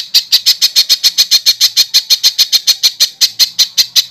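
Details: Master recording for training contest birds: a steady run of about twenty loud, high, harsh notes repeated several times a second without pause.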